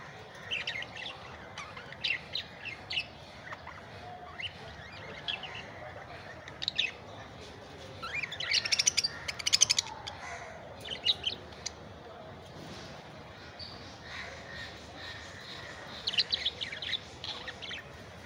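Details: Budgerigars (Melopsittacus undulatus) chirp and warble in quick, bright bursts, with short squawks mixed in.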